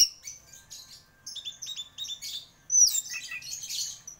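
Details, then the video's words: Champion orange-headed thrush in full song: rapid, high twittering phrases of squeaky notes and chattering bursts, ending with a loud sharp downslurred whistle followed by dense warbling. "Burung Anis Merah Gacor Juara"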